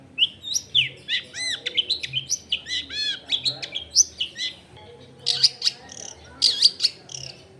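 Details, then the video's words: Long-tailed shrike in full varied song used as a lure for other shrikes: a rapid jumble of warbles, swooping notes and mimicry-like phrases, then bursts of harsh high chatter after a brief pause. "SUAR BURUNG CENDET GACOR COCOK BUAT PANCINGAN CENDET BAHAN BIAR IKUT BUNYI"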